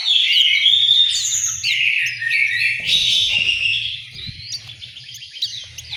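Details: Orange-headed thrush in an East Java aviary at Malang, singing a continuous rich run of whistled and slurred notes with quick pitch jumps, over a steady low rumbling hum.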